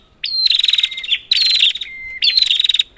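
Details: Prinia calling as a lure for quiet prinias: three harsh, rapidly pulsed, buzzy bursts, with a clear, level whistle between the second and third.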